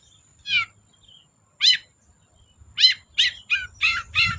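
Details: Long-tailed shrike calling vigorously, meant to prompt quiet shrikes into song: harsh, rasping, downward-sweeping notes, singly at first and then in a fast run of five.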